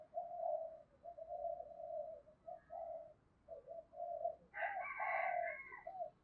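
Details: Spotted dove singing in the 'thổ' voice mixed with a little 'đồng' style. Soft, repeated mellow coos over background hiss. A louder, harsher, harmonic-rich call from another bird overlaps near the end.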